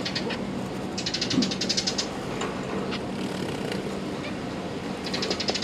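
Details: Zebra finch chicks, recently fledged and fed by their parents, give rapid, high, scratchy begging calls in two short bursts over a steady low hum and room noise.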